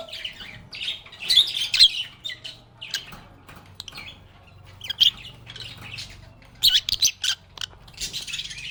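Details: Lovebirds of the genus Agapornis singing and chatting, producing loud, scratchy high squawks and chirps in uneven groups, with a faint steady low hum underneath.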